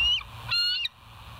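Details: Wild bald eagles at the West End nest, filmed by a live nature cam on 10 August 2023 at 6:15 in the morning. A high, thin whistled note is followed by a brief squealing chatter, with steady background hum.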